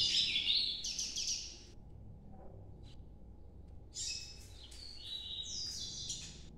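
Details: Ultramarine grosbeak, Nordeste-style song, somewhat distant: a jumbled warbled phrase, a pause, then a second run of quick high notes over a noisy, hissing background.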